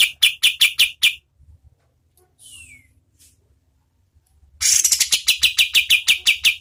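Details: Kapas tembak (oriental white-eye) singing in medium-speed tutor style for competition birds: short runs of sharp high chips, a long pause with a faint descending whistle, then a fresh rapid burst of bright notes.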